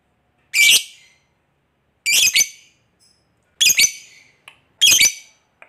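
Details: Harsh lovebird contact squawks meant to make other lovebirds reply: four sharp, grating bursts spaced roughly one and a half seconds apart, each quickly fading, with silence between.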